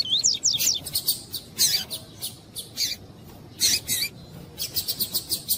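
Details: Coleiro tuí-tuí with a female calling to warm up the male, as breeders do to prepare birds for song tournaments; sweeping high whistled notes, then harsh high chirp bursts and a quick run of short repeated chips near the end.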